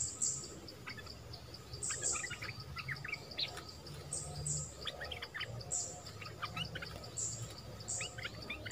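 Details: Wild flowerpeckers come in as a family, giving short clusters of dry, high chirps repeated every second or so between thin, very high squeaks. A steady pulsed insect-like tone runs underneath.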